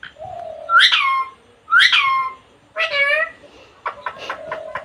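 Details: Pet Indian parrot, female, mixing mimicked speech and whistles: a low steady whistled note, two bright rising squeaky phrases, a harmonic spoken-sounding syllable, then a run of short clipped notes and a held whistle.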